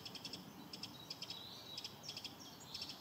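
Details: In spring, a Eurasian wren gives hard, high ticking alarm notes in quick bursts of three or four, about twice a second, over a faint background hiss.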